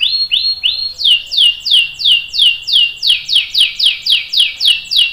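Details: Canary singing to prompt other canaries: a few level whistled notes, then regular, loud downward-sweeping whistles repeated about three times per second.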